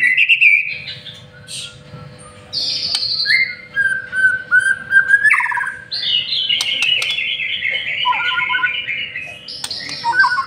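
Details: White-rumped shama, a master-trained lure singer, delivering long sustained whistles, high buzzy trills and falling slurred phrases, loud and richly varied, with a faint steady hum beneath.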